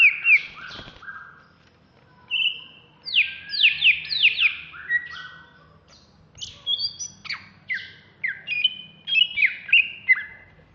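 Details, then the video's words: A caged greater green leafbird of Alas Purwo stock, ready for contests, in Bekasi, sings in an agitated frenzy: bursts of rapid falling whistles and varied chirps separated by brief silences, with faint low hum behind. "Cucak Hijau Alas Purwo Ngamuk"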